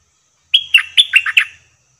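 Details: One rapid, liquid phrase from a captive decoy bulbul at a trapping cage: a whistled note held briefly, then a tumbling series of five slurred, bouncing notes.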